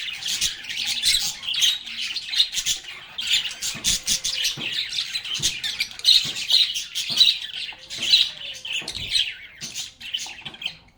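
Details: Lovebirds singing, playing and talking in a lively flock, a steady stream of rapid chirps, twitters and short squawks with scattered clicking taps throughout.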